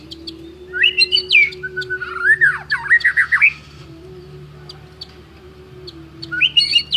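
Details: Champion white-rumped shama delivering a stylish phrase of high whistles, downward-bending slurs and quick warbles for about three seconds, then a pause with only a low steady hum before a brief renewed whistle.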